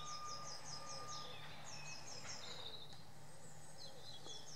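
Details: Eurasian blue tit perched on a tree stump in woods: rapid series of high, thin notes repeated in short bursts, with a brief steady mid-pitched tone early on and constant low background hum.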